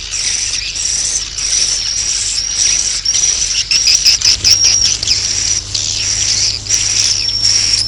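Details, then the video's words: Swiftlet roosting sound played to draw swiftlets in to roost, with continuous shrill, buzzy chattering chirps rising and falling in waves roughly once a second, heavy hiss and a faint low hum underneath. "Suara Walet Inap"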